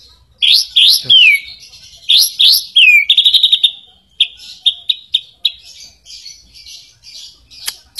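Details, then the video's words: White-rumped shama song to provoke rival shamas into singing: paired upward-swooping whistles with a falling slur, repeated twice, then a fast stuttering trill and softer chips and notes trailing off. "Suara Pancingan murai batu YANG EFEKTIF dan sudah SUKSES jadikan murai lain gacor dan kuat mental"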